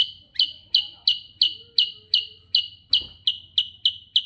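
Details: Sooty-headed bulbul delivering rolling gacor ngerol song: evenly spaced, sharp, high chirps near three per second over a faint low background hum, with one soft thump partway through.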